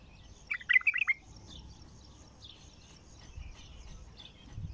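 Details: Bulbul newly caught from the wild and singing for the first time gives one quick, rich warbled phrase of several notes, followed by faint distant chirping.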